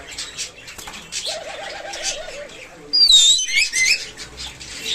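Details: Pet talking myna gives a low, wavering, voice-like warble, then a loud, clear, downward-sliding whistle and shorter high whistles over faint rustling.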